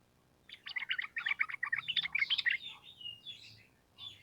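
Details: Sooty-headed bulbul giving a long rapid run of bubbling notes, used as a training lure. Softer trailing whistles follow the run.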